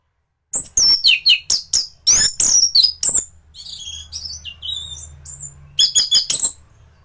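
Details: A champion thrush's song, recorded to tutor other thrushes, opens with a quick run of loud piercing whistles and chips, eases into quieter thin warbling notes, then closes with another emphatic burst.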